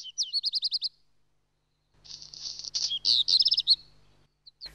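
European goldfinch: a quick run of about seven high tinkling notes, then a liquid, jumbled twitter of bright chirps. A faint low hum sits underneath.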